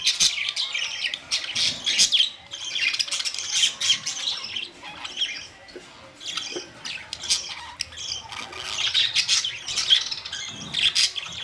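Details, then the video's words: Budgerigars, colourful pet parrots, recorded May 2, 2023; dense overlapping squawks and chirping chatter from several birds, rising and falling in loud waves. "Beautiful colors Budgies parrots"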